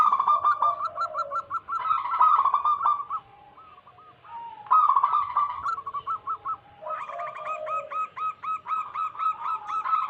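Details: Lure recording of local wild zebra doves in vigorous song: several rolling bursts of rapid hooked coos separated by short quiet gaps, ending in a long even series.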